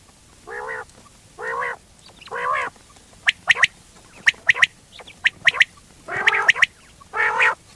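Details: Quail calling: three nasal, harmonic honks spaced about a second apart, then sharp clicking triplets, then two more honks.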